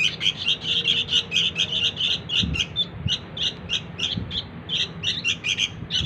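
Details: Sooty-headed bulbul chick calling, used to lure its parent birds: short, harsh chirps given in quick pairs and clusters, repeated steadily for the whole stretch over a faint low hum, with a couple of soft thuds midway.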